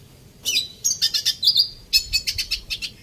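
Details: A red siskin in an aviary gives a quick, high twittering song of short chirps and buzzy trills, with a brief sustained whistled note in the middle.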